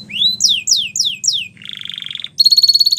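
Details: Canary training song: a rising whistle, four descending slurred notes, a rolling buzzy trill, then a fast bright high trill; faint low hum underneath.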